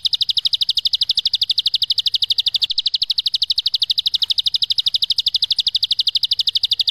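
Bar-winged prinia giving a long, even, high-pitched rattling trill: fast buzzy notes repeated steadily without a break. No other sounds.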